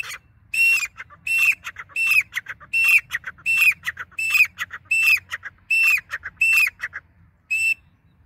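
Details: Grey francolin (dakhni teetar) repeating its loud call in a fairly even rhythm: a bright high note with a downturned end, then a rattling tail, about eleven phrases in eight seconds.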